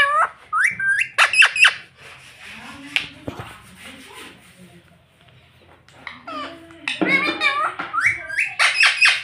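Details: Parrot known for saying mummy and papa: several sharp, high, harmonic utterances in quick bursts at the beginning and end, with lower human voices murmuring in between in a small indoor room.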